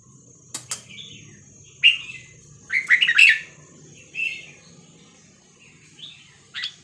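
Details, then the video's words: Vietnamese-type Red-whiskered Bulbul song played to teach young birds and excite caged birds: short warbled, slurred phrases with gaps between, plus a few sharp clicks, a steady high electronic whine and low rumble. "นกกรงหัวจุกเวียดนาม 3-4-5-6-7 เปิดสอนลูกนก เปิดยั้วนกฟังนกคึก"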